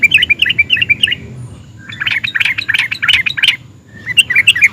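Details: Excited yellow-vented bulbul (trucukan) singing a nguplik and ngerol song that prompts other trucuk birds to reply: bubbly, tumbling chirps, then a louder rough chattering phrase, and more quick notes at the end.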